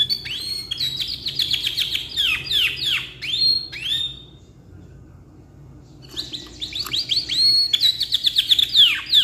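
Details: Black-red ngeroll canary, caged, singing long song for tutoring: rapid series of downward-sweeping slurred notes and rolls, a two-second silence, then the same fast sweeping phrases resume.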